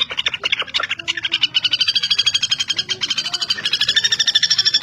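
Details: Common flameback, known locally as pelatuk bawang or pelatuk besi and kept as a tutor bird for songbird contests, giving a fast rattling series of sharp, even pulses high in pitch, about eight per second, with faint low background noise.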